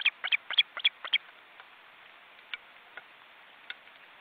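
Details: Webcam at an osprey nest in an Estonian forest reserve, where nearly grown chicks beat their wings. A short, loud run of shrill chirps lasts about a second, followed by a few faint, scattered notes.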